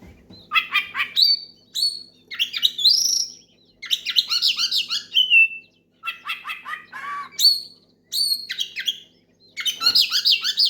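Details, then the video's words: Oriental magpie-robin singing loudly to call a rival and provoke other magpie-robins into song: varied whistled phrases, rising and falling slurs mixed with harsh buzzy bursts, delivered in bouts separated by short pauses. "SUARA KACER MEMANGGIL LAWAN NGEPLONG KERAS BIKIN KACER LAIN IKUT GACOR"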